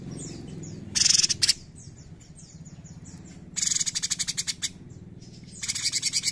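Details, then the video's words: Bulbul ("cucak cungkok") sings three loud bursts of rapid, harsh, chattering high notes, each about a second long, with softer scattered chirps in between. "CUCAK CUNGKOK GACOR NEMBAK GURIH!"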